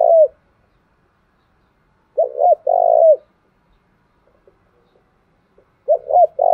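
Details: Spotted dove, Đồng Nai, 'thúc gù' coo used to excite and train decoy birds: one full three-note phrase of two short hoots and a long coo, framed by partial phrases at the start and end.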